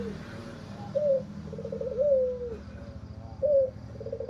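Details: Albino Barbary dove, white plumage and red eyes, calling hoarsely: a short clipped coo, then a long wavering note that sinks at the end, another clipped coo and a rough trilled phrase, all against low hum.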